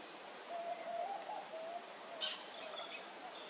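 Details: Bar-shouldered dove recorded on 9 August 2023 giving a soft, low, mellow series of cooing notes lasting just over a second; a brief high chirp from another bird follows.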